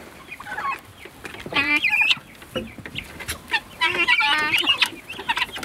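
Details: Guineafowl, a flock let outside for the first time, giving harsh, rapid, chattering calls with short squeaky notes. Several birds call over one another in uneven bursts.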